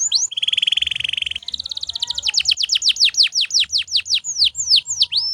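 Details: Canary song for teaching other birds: a buzzy rolled trill held about a second, switching to a fast series of descending whistled notes that gradually slow and lengthen.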